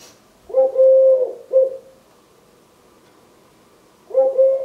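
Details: Eurasian collared dove, a 3-year-old male, wing-tapping and singing his "please lay eggs" song to his mate: low hollow coos, a long drawn note then a short one, with another phrase starting after a pause in a quiet room.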